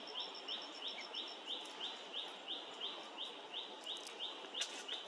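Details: Streaked spiderhunter: a steady series of sharp, high chirps, about three per second and evenly spaced through the clip. A thinner, higher note series from another bird is heard in the first moments, over a soft natural background hiss.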